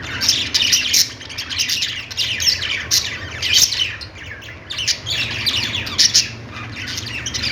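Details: Budgerigars chirping and singing: dense, overlapping high chirps and squawky warbles come in bursts about every half second to second, forming a continuous busy chatter.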